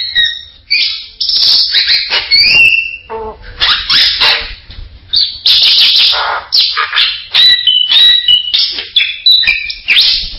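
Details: Bali myna producing loud harsh screeches mixed with clear whistles and chattering notes, dense varied bursts repeated through the whole stretch.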